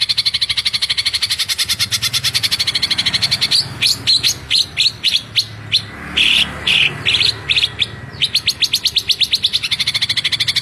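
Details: A greater green leafbird (Chloropsis sonnerati) fires off fast, tightly packed bursts of sharp, high chipping notes in rapid-fire song, rattling on almost without pause, with brief louder ringing phrases in between.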